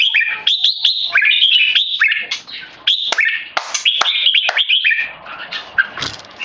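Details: Loud, clear keke calling from a tame male red-whiskered bulbul under human disturbance: dense runs of high chattering notes with sudden upward sweeps, pausing briefly before fading into softer, scattered notes near the end.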